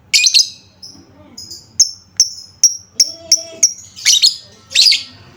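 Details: Lovebird lure to make lovebirds respond and sing: harsh high squawky bursts at the start and end, with a run of clipped high chirps between them.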